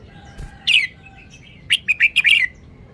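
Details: Red-whiskered bulbul, a caged songbird, showing off its song phrasing: a short chirp, then a quick run of five bright warbled notes rising and falling, clear and close against a quiet background.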